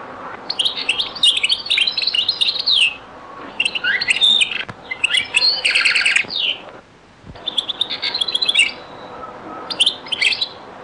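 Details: European goldfinch, Beni Messous 'les avocats' (zaboka) song style from Algeria, in a very old recording: four long bursts of fast, jangling twitter and buzzy trills, separated by brief pauses.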